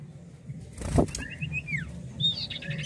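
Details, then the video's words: Common iora (cipoh) singing clear high whistles: a quick run of short notes, a long down-slurred whistle, then a bright trill, over a low hum and one dull knock. "SIULAN M4UT CIPOH GACOR!!!"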